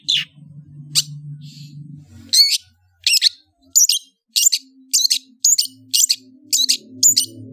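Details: Long-tailed shrike phrase of evenly spaced, sharp, ringing chip notes, about one every half second, after a brief low murmur at the start.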